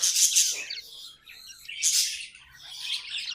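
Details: Pet budgerigars produce short bursts of shrill, buzzy chattering with bright chirps, separated by quieter gaps.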